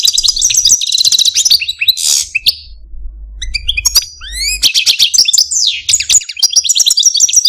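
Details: Caged pet male Algerian Parva goldfinch sings fast twitters and a buzzy note, pauses, then adds rising whistles and lively jingling trills with descending slurs.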